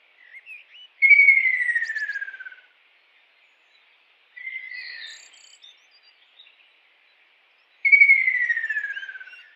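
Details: Kingfisher in the wild giving loud downward-sliding whistles that break into a rattling trill. They come roughly every three seconds, with a softer, buzzier phrase in between and a few short chirps. The background is otherwise silent.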